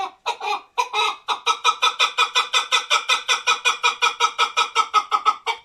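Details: Male chukar partridge kept for hunting opens with a few hesitant notes, then settles into an even, ringing chuk-chuk-chuk sequence close to two notes a second, clear and loud.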